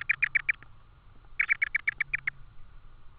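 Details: Tawny owl nest recording from Estonia, 4 May 2013 in the evening, at a repeat food delivery of an insect. Two bursts of loud, rapid squeaky chirps, about five notes then about eight, are separated by a second of quiet.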